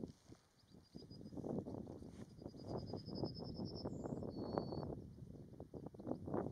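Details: Yellowhammer singing at Martins Down on a windy day, 27 June 2022: a quick run of about a dozen thin, high, evenly repeated notes, then a brief higher note and a drawn-out final note, over heavy low wind rumble.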